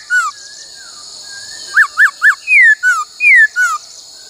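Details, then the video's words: Laughingthrush song for training in the "bắt cô trói cột" style: a single falling whistle, then three quick arched notes and alternating high and low falling slurs, with continuous background hiss. "Luyện khướu hót bắt cô trói cột , luyện hót nhiều giọng cực hay"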